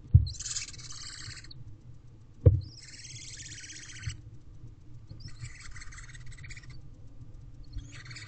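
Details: Young barn owls in a nest box at 12:26 pm on 5/9/23, one owlet commanding its siblings' attention; long rasping hisses lasting about a second, repeated every two seconds or so, with occasional knocks and bumps from the box.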